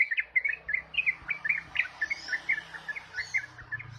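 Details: Ropel-style song of a yellow-vented bulbul: fast, bubbling strings of bright chirped notes, several per second, with a faint low hum behind.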